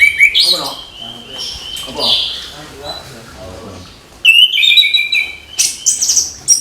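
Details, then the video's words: Orange-headed thrush singing in the morning to spur young thrushes into song: bright, rising and falling whistled phrases, a pause, then a louder burst of sharp varied notes, with faint low murmuring beneath. "ANIS KEMBANG GEMERCIK SUARA DIPAGI HARI, MENAMBAH SEMANGAT ANIS MUDA BUKA PARUH"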